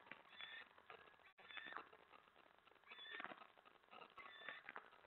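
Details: Male eastern screech owl at night, 25 February 2017, chittering after his mate scolds him for checking out her mouse; short harmonic, slurred notes come in uneven bursts over a steady background hiss.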